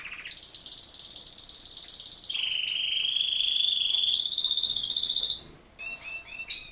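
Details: Male Raza Española canary, a breed prized for form rather than song, holds a long buzzy high roll, drops to a lower steady roll, climbs again, then ends with short choppy repeated notes.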